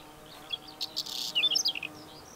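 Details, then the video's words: Short scratchy strophe from a Whinchat, mixing a harsh buzzy burst with quick high squeaks and thin whistled notes, ending abruptly, against a faint steady hum. "Pokląskwa śpiew"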